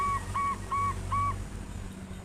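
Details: Big-voiced local zebra dove singing to stimulate other doves to sing. Four even, flat cooing notes evenly spaced over loud low-pitched background rumble.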